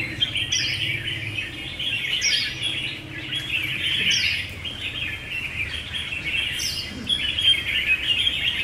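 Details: Red-whiskered bulbuls at a singing battle: a dense, continuous chorus of bright chirps and warbled phrases, with brief higher whistled notes every second or two over a steady low hum.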